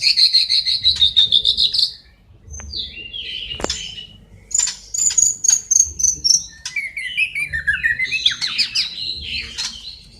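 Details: Caged white-rumped shama in full, busy song, a high rapid trill followed by sharp chips, buzzy notes and descending whistled slurs, varied and continuous with short gaps.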